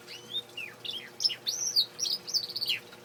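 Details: A good-singing male canary sings a quick, bright warble of high whistled notes and slurred trills, running almost without pause, over a faint low hum.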